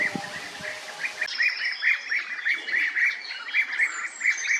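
European bee-eaters give rolling, liquid 'prruip' calls, repeated several times a second and overlapping as if from a small group, with other high chirps behind.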